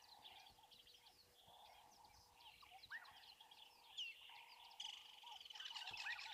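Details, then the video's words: Woodland kingfisher at a waterhole on an overcast 3 December 2023 gives a high, slightly falling trill near the end, over a busy chorus of other birds, a steady low insect or frog drone and faint hum. "There's a woodland kingfisher calling there as well."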